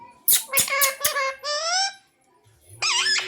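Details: Parrot that mimics "Radhe Radhe" and "Mithu Mithu" and sings bhajans. Sharp clicks open into a held, nasal, buzzy syllable, then a warbling word-like phrase follows after a short gap.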